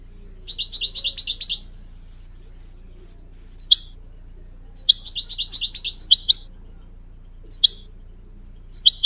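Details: Goldfinch song for teaching young goldfinch mules and canaries to sing: two rapid high twittering phrases, each followed by short sharp chirps, with scattered single chirps between them over a faint low hum.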